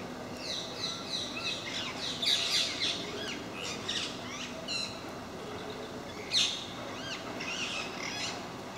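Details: A group of parakeets that regularly visits a park in MK, making a racket: dense, overlapping harsh screeches and sharp chattering notes, tumbling over one another almost continuously with louder bursts near the middle and end.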